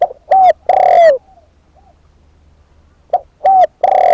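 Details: Decoy spotted dove giving a deep, overdriven coo phrase: a short note, a slurred coo, then a long falling rolling note, with the phrase starting again after a short pause.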